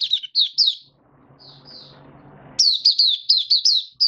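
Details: White-eye kept in a cage singing during warm humid weather, March 2022: a few high slurred chirps, a quiet pause with low hum and faint whistles, then a rapid burst of bright repeated notes.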